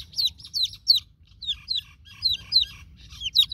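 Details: Steady peeping of newborn chicks calling for their broody mother hen: shrill, falling chirps repeated several times a second over a soft, low background rumble.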